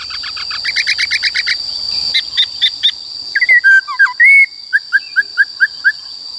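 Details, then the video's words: ['Black-throated laughingthrush singing forest-style for coaching young and wild-caught birds: a rapid series of short chattering notes, then looping whistles and a burst of short bright chirps repeated quickly, over a steady thin tone.'] "Khướu Bạc Má HÓt Giọng Rừng"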